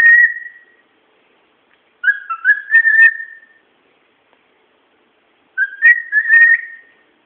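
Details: Pet bird whistling away: a short whistled note fades at the start, then two separate phrases of clear, warbling whistles with rising slides and wavering tones, each lasting over a second, separated by silence.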